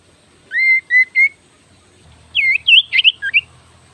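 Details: Oriental magpie-robin, kacer sirtu type, singing actively. Three steady whistled notes are repeated, followed by a quick tumbling series of varied, swooping whistles. A low hum sits underneath.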